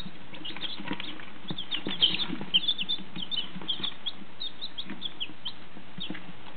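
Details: Brood of fifteen one- and two-day-old chicks from a first hatch giving rapid, overlapping high peeps, about two per second, with faint shuffling and low background rumble.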